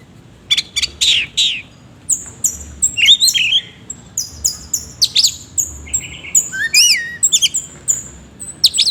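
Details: Song of an oriental magpie-robin delivered in a busy stream of sharp chips, high thin whistles and twisting slurred notes, densely packed with rough, harsh elements.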